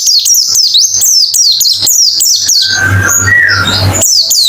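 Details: Quick therapy white-eye song for a reluctant singer: brisk high chirped phrases for a couple of seconds, then a harsher, blurred stretch of mixed sounds, before the high chirping resumes.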